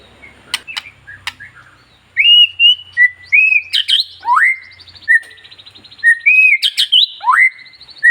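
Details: White-rumped shama (murai batu ekor panjang), a caged bird, singing to provoke other shamas: clear whistled notes in short phrases, some sharply rising, with a few clicks and a faint low hum.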